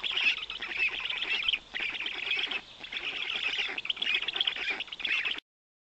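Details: Black stork nestlings receiving big fish from the father, Noteć Forest, 18 June 2021: harsh, buzzy, rapid-fire chattering in bursts with two brief lulls, then an abrupt stop near the end.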